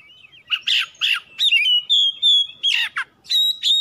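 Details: Lure song of an Oriental magpie-robin, played to make other birds answer: harsh buzzy bursts alternating with clear sustained whistles, loud and varied.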